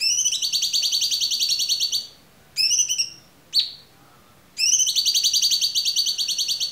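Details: Cucak cungkok singing clearly as a training song for other songbirds: long fast high trills, a short trill burst and a single rising note in between, then another long even trill.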